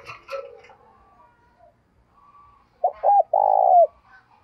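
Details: Spotted dove decoy bird calling in the morning to lure wild birds; after faint chatter, two short low coos then a longer drawn-out coo ending in a falling tail.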